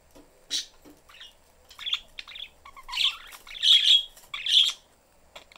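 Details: Caged pet budgerigar family, parents and young, the youngster seeking attention: bursts of scratchy, high chirps and squawky notes, building into louder clustered chirping toward the end, with brief quiet gaps.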